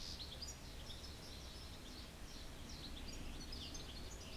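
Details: Eurasian goldfinch twittering in quick, bright, tinkling bursts, high and jumbled, with short gaps between phrases, set against a steady hiss of background noise.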